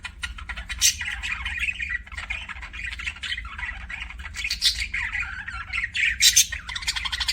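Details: Budgerigar chirping as unbroken warbled chatter, buzzy scratchy notes mixed with piercing high squeaks rising in several louder peaks, over a constant low hum.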